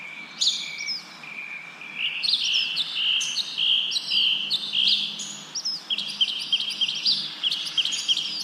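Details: Birds chirping as wind blows through leaves: a dense chorus of bright, high twittering notes and quick upward-flicked chirps that overlap almost without pause, over a soft steady hiss.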